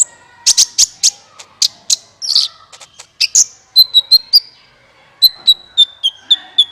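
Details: Lure call of a sunbird for trapping: loud sharp high clicks in quick series, followed by steady thin whistled notes repeated about three per second.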